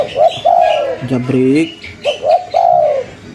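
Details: Vigorous local spotted dove in cetrekan style, giving repeated phrases of brief stuttered notes and extended gently falling coos, broken by a short lower rising sound in the middle.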